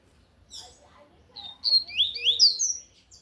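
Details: Double-collared seedeater singing loudly in the tui-tui song style: after a soft early note, a burst of bright, sharp whistled and slurred phrases rising and falling, with faint low background rumble.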